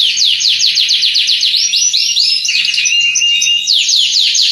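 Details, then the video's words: Canary song used to prompt canaries reluctant to sing: loud, continuous rapid trills of high descending whistled sweeps, shifting midway into varied warbled and rolling phrases before returning to fast sweeping trills, with a faint low hum beneath. "KENARI MALAS BUNYI"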